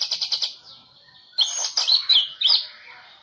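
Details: Medan-type white-rumped shama, a 2018 President Cup national champion competition bird, sings four quick repeated high notes, a short gap, then loud bright whistled phrases with sweeping slurs.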